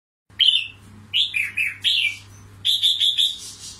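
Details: Caged red-whiskered bulbul, a carefully selected wild-trapped fighting decoy bird from Cao Bang, Vietnam, delivering bright warbled phrases with slurred rising and falling notes in quick bursts, over a steady low electrical hum.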